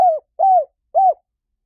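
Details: Spotted dove giving three separate arched coos, each about a quarter second long and spaced roughly half a second apart, the last one slightly softer, with a clean quiet background.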